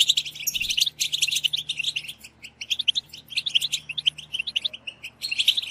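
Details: Chorus of European goldfinches, the collective batbata meant to spur singing: a loud burst of bright, rapid twittering at first, then thinner scattered chirps and short trills, with a low background hum.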